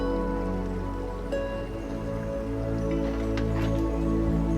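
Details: Soft new-age music plays steadily with a few dripping, raindrop-like sounds, and no animal voice is heard.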